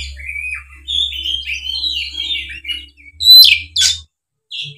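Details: Oriental magpie-robin roused to fight: a wavering, warbled run of high whistled notes over a steady low hum, then two loud harsh, scratchy bursts and a short whistle after a pause.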